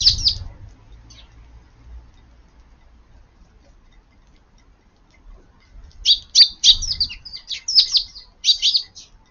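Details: Eurasian tree sparrows crowd under the eaves of a garden at lunchtime on a rainy 7 June, feeding. A quiet start gives way to a dense run of sharp, high chirps, overlapping and irregular, over low rain rumble.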